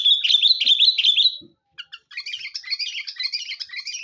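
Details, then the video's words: Busy Sooty-headed bulbul lure song: a quick run of bright wavering whistled notes, a brief pause with a few chirps, then a rapid continuous chattering warble. "suara burung kutilang pikat gacor"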